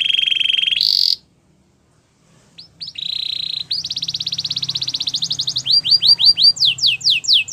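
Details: Belgian canary in song: a flat buzzy trill, a short pause, then a steady rolling trill that speeds up and moves into loud repeated sweeping chirps.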